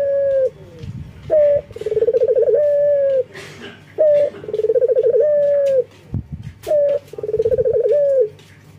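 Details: A breeding male collared dove of the local type calls females with three coos. Each has a short opening note, a rapid trilled roll and a long even ending. Faint clicks and knocks sound between phrases.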